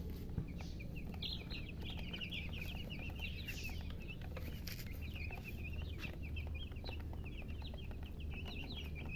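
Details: Baby chicken chicks chirping: a busy chorus of short, high, down-slurred peeps overlapping in quick succession throughout, over a steady low mechanical hum.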